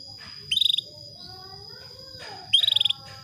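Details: A female canary calling to a male, giving two brief, rapid trills of about eight high pulses each, two seconds apart, over a steady thin high whine.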